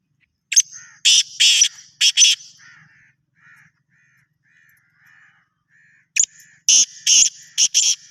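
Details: Two rasping call phrases from a black francolin, each a sharp lead note followed by four harsh, buzzy bursts. Faint soft notes fill the pause of about three seconds between the phrases.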